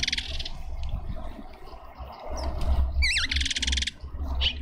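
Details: Cape white-eye at a feeder in a suburban garden in Pretoria, South Africa, hungry and waiting its turn: a few sharp, wavering whistled notes near the middle, flanked by buzzy, rapidly pulsed bursts, over a constant low hum.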